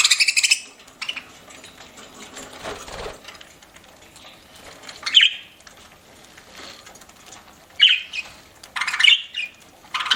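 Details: Pet budgerigar chirping while eating: a few short, sharp chirps scattered through the clip, with soft crunching and rustling from feeding between them.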